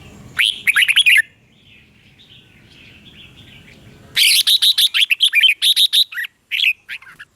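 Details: Song of a red-whiskered bulbul, used for training caged birds or trapping, with a short burst of lively warbled notes, a faint soft warble, then a long run of loud chirped phrases tapering off.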